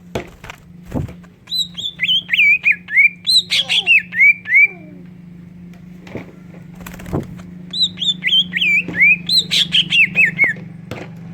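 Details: Greater green leafbird, singing with kingfisher fill-in material and played to provoke other leafbirds to sing, delivers two long phrases of clear, falling whistled notes in quick succession over a low hum.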